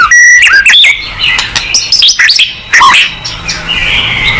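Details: White-rumped shama singing to provoke a reply: a steady high whistle, then fast varied whistled phrases, slurred swoops and chips, with a thin sustained tone at the close.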